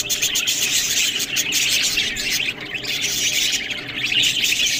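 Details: Several budgerigars, kept birds, chatter while eating green food. Dense, continuous, overlapping high chirps and warbling twitters run through the whole stretch, with no other clear sounds.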